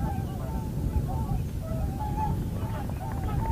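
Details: At Heinä-Suvanto nature reserve in Viitasaari, April 2011, common cranes give drawn-out trumpeting notes at intervals, some rising, over a continuous low rumble.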